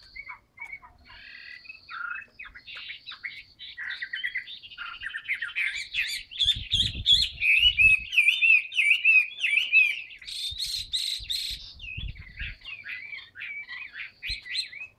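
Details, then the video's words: A caged Chinese hwamei offered for sale pours out a loud, rich song of varied whistles, slurred trills and rapid chatter with hardly a pause, over a few low knocks. "HM 275 siêu mẫu áo mới đẹp long lanh hót xòe bền"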